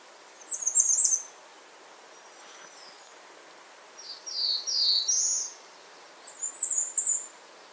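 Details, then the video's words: A Bay-breasted warbler calls with high, sibilant bursts, repeated three times over about eight seconds, against a steady hiss. "Bay breasted warbler Calling."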